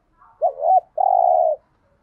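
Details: One spotted dove phrase used to stir up other doves: a soft lead-in, a curved double note, then a drawn-out steady coo, mellow and low, heard cleanly without other sounds.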